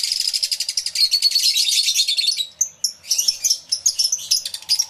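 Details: Lovebirds massed in an aviary, taped with twin external microphones on a camera. A rapid run of piercing chirps opens the clip, then gives way to choppier, separated squeaky notes.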